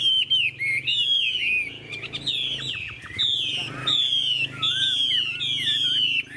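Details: Chinese hwamei, an old bird matured in the wild, singing in a long continuous style: strong descending whistles and looping slurs, about one phrase a second, with a soft background hum.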